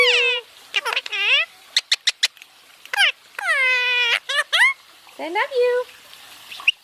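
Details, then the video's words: {'caption': 'Basking pet Indian ringneck parakeet talking in nasal, harmonic speech-like syllables, interspersed with crisp clicks and a long descending utterance, then softer chatter.'} "My parrot is basking and talking"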